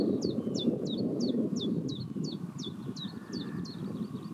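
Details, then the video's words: Common chiffchaff song at Pehritzsch: around eleven high, falling notes repeated at an even pace, slightly weaker toward the end, set against a low, continuous rumble from wind or distant vehicles. "Zilpzalp mit Gesang bei Pehritzsch Vogelstimmen chiffchaff"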